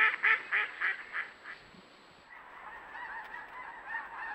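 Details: Wild geese honking: a rapid series of six loud nasal honks, then a softer, overlapping chorus of distant flock calls over a constant hiss.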